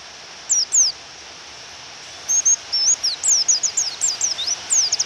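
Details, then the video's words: Female pleci white-eye provoking a male to sing, rain falling: two lone sharp high chirps, a pause, then a quick accelerating string of thin twittering notes ending in a rapid trill, over a rain hiss. "Pleci Suara Memanggil Lawan dan Suara Hujan"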